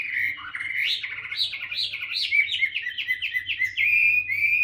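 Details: Chinese hwamei kept tame in a cage, singing in voice practice: a flowing string of rising and falling whistles, ending in a steady, repeated run of short slurred notes; low hum behind.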